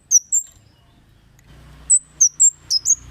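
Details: Kemade cit calls used as a lure to provoke other birds into calling. Two piercing high chips, then a pause over a low hum, then a fast run of five more.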